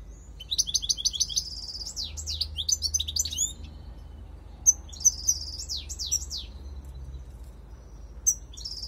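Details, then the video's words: European goldfinch lure call, a lively twittering phrase of fast repeated high notes and swooping slurs, followed by a pause and shorter bursts of similar chattering notes with a soft low hum behind. "Jilguero Reclamó chardonneret"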